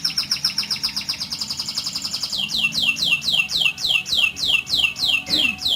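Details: Canary song in rolling style, for tutoring other canaries: a rapid high trill that shifts into repeated downsweeping whistled notes, roughly four per second, bright and regular.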